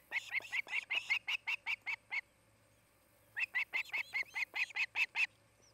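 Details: At a nest in Charlo, Montana, a nesting osprey pair on camera, 8 August 2018: two bursts of piercing, evenly spaced chirps, each about ten notes long, separated by a pause of roughly a second.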